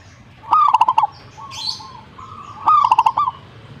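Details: Perkutut, the zebra dove, answering with two rolling phrases two seconds apart, each a short lead note followed by rapid bubbling coo pulses; a thin high chirp sounds between them.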